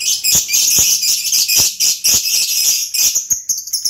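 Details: A lovebird keeps up continuous, loud, high-pitched twittering and chattering without pause, with rapid shrill notes running together.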